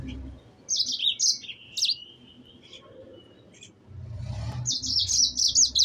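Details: Sanger, the yellow-fronted canary, singing high chattering trills and swooping whistles in bursts, with a drawn-out thin note between them; a low rumble and murmuring background noise rise partway through.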